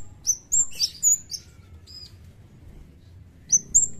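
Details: Javan kemade (cigen) singing actively, like in the wild: a rapid cluster of high, sharp down-slurred whistles, a pause, then two more shrill notes, over steady low background noise.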